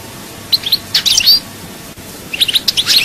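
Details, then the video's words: Goldfinch song from Souk Ahras, Algeria: two short bursts of bright, liquid twittering with quick upslurred and downslurred notes, separated by a pause of about a second. "chant chardonneret"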